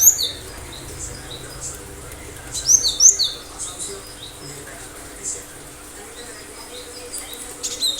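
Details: Cinereous tit in full, lively song with sharp bursts, used as a lure so other birds answer and imitate: short clusters of high thin whistled notes near the start and middle, with quiet background between.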